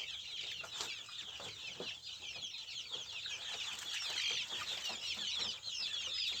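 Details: Native village chickens, a crowd calling together: dense, overlapping high, thin peeps and chirps run without pause, with a few lower, louder clucks standing out now and then.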